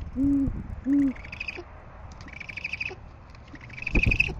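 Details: Great horned owl filmed by camera at its Oklahoma City nest, 6:40am on 10 February 2014, male bringing food while eggs lie in the nest; two loud, deep, steady hoots half a second apart, then thinner higher rasping calls.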